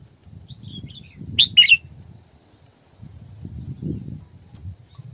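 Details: A female Red-whiskered bulbul kept as a decoy gives a single quick pair of bright, slurred whistles. Soft chirps come before it, and a low, rumbling background noise runs throughout.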